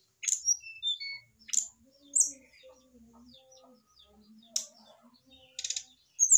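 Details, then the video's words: Mature male brown-chested jungle flycatcher, kept caged, responding to a nearby female: sparse high chirps and brief buzzy bursts separated by pauses, plus a faint low droning hum in the background. "REAKSI SRDC JANTAN MAPAN DI TEMPEL SRDC BETINA , PANCINGAN SRDC AGAR CEPAT BUNYI"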